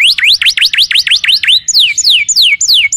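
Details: Canary song used to tutor other birds: quick repeated V-shaped whistled sweeps, about six per second, then slower clear descending slurs roughly three per second.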